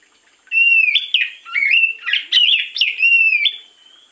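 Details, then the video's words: Oriental magpie-robin singing in the morning, a recording used as a lure to trigger other birds: rich, varied phrases of clear whistles sliding and warbling at mid-high pitch, with a few sharp chattering notes, in one continuous bright three-second burst. "pancingan burung Kacer di pagi hari"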